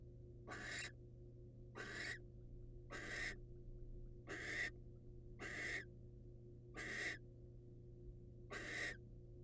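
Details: A wild male barn owl brings his catch to his female, seen on a birdcam. Eight short, harsh hiss-screeches are repeated roughly every one and a quarter seconds in a steady series against a low constant hum.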